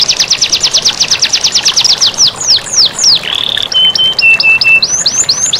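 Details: Canary master song for encouraging lazy canaries to sing, with running water: fast repeated high notes, slower downward sweeps, a short buzzy roll, then flat pure whistled tones and hooked notes; continuous water hiss.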